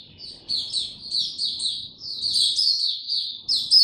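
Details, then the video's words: White-eye kept captive, singing with no supplements: rapid high twittering phrases rising in intensity, over a soft low background murmur. "Mata Puteh Hercules buka sing"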